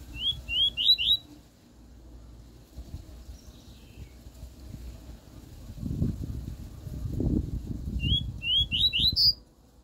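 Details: Double-collared seedeater in the pure 'tui tui' song style, used to tutor a young bird. A quick phrase of four rising whistles, a stretch of low rustling and thumping, then the same four-note rising phrase again.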